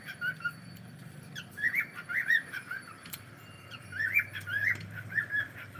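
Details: Pet cockatiel on a live stream uttering soft, irregular warbling chirps and squawky notes, fainter than usual, over steady low background hum.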